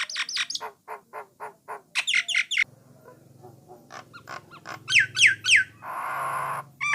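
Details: Jalak Nias, known too as brown starling, in song to draw other starlings into singing: quick repeated downslurred whistles, a short pause with low hum, then sharp slurred notes and a harsh rasping squawk.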